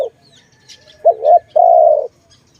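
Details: Dove calling, recorded in the setting of bird trapping: a brief low note, then a wavering two-part coo followed by one long, smooth, steady coo of about half a second, all fairly low and mellow, with faint chirps in the background.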